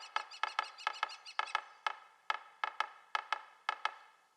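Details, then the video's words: Yellow-bellied Sapsucker tapping an irregular, stuttering rhythm of sharp woody knocks, often in quick pairs, about two or three per second, with no other sounds. "Yellow-bellied Sapsucker - Bird Sounds"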